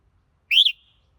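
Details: Red-whiskered bulbul giving a single clear whistled note that rises and then dips, lasting about a quarter second, with otherwise silent background.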